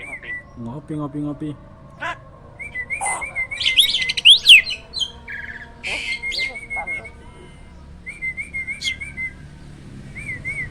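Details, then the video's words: Hybrid jalak (myna) in a cage, singing continuously as a master bird for other songbirds; a low harsh croak early, then loud rising chattering whistles and spaced wavy notes. "JALAK HYBIRD GACOOR!! MASTERNYA PARA JUARA."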